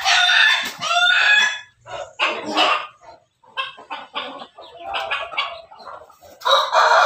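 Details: Pelung–Bangkok crossbred chicken crowing in a backyard: loud, rough broadband crow bursts with ringing harmonics at the start, then choppy broken phrases and clucks, ending in another strong burst.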